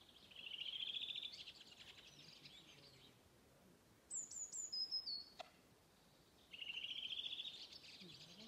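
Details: Local dialect song of a Redwing, recorded 29 May 2021 at Åstholmen. A rising rattled trill runs for about a second, followed by very high, thin notes stepping downward. The trill phrase returns near the end over quiet background.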